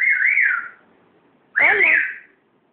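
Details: A grey parrot, out of its cage for the first time, gives two loud, wavering whistles about a second apart, each sliding around the upper-middle pitch range with a slight warble; whistle.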